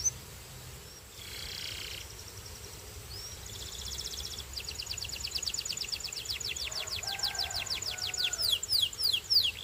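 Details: A Belgian canary sings high, fast rolling trills of rapidly repeated notes that grow louder and choppier toward the end, over a low steady hum.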